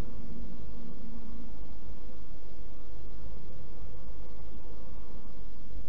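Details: Loud, overdriven, constant low hum and rumbling static run throughout, with no distinct animal call.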